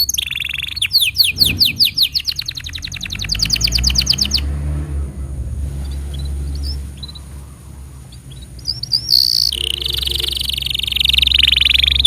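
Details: Canary song meant as a tutor for young birds and to coax silent canaries: a quick series of sharp descending chirps, a pause filled by low vehicle rumble, then a steady high trill returns.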